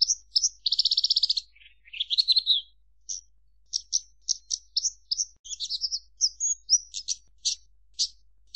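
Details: Javan bush lark singing a fast, varied run of high chirps, a buzzy trilled phrase near the start, then scattered sharp notes and short warbles with brief pauses between them.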